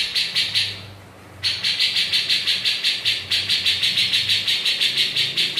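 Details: A Grey-cheeked bulbul (Alophoixus bres) gives a chattering run of harsh, buzzy notes, fast and steady at about three per second, with a brief pause near the start and a faint low hum underneath.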